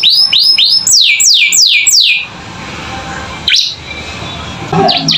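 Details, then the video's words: Canary in 'gacor isian' style for teaching young birds: six clear looping downslurred whistles, then quieter background hiss with a few scattered chirps. "Masteran Kenari Gacor Isian Cocok Buat Paud Belajar Bunyi"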